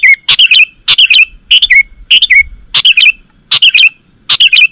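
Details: Sooty-headed bulbul calls for luring birds into traps: a short phrase of a sharp note plus bubbly, descending chirps, repeated almost identically roughly every 0.6 seconds.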